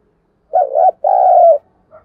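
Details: Single spotted dove lure phrase meant to stir other birds: a wavering low coo followed at once by a longer steady coo that falls slightly at the end, then a faint soft note.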